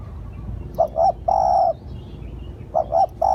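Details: Spotted dove used as a lure bird: one phrase of two clipped coos leading into a long even hoot, then the next phrase beginning, with low rumbling noise underneath.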